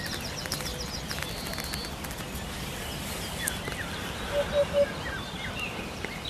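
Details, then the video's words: Hoopoe giving three short, low, soft hooting notes in quick even succession near the end, over a steady hissing background with faint high chirps from other birds early on. "BURUNG HUT HUT"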